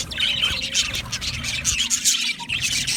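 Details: Budgie flock singing and chirping: a continuous, dense warble of high squeaky chirps and short squawks with no pauses over three seconds.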